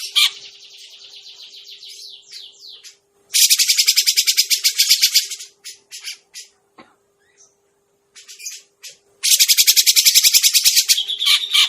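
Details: Trapping lure of a grey-cheeked bulbul. Quieter sweeping buzzy notes lead into two long, loud bouts of rapid, harsh, rattling chatter separated by scattered short calls and a gap, with a low steady hum.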